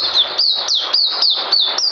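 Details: Oriental white-eye, called puteh, singing mousey style on 9 June 2019: a tight sequence of loud, very high whistles sliding down in pitch, repeated several times a second.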